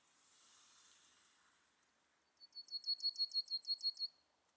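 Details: Yellowhammer (Emberiza citrinella), song.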